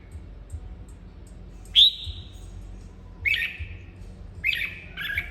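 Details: A red-whiskered bulbul being encouraged to sing gives one loud, high, sliding whistled note, then after a pause two shorter warbled phrases a second apart, with faint ticks and low background hum.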